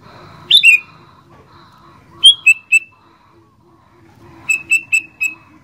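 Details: Actively singing sooty-headed bulbul: a sharp falling note pair, then a run of three short bright notes, and later four quick evenly spaced chirps, over a faint steady low hum.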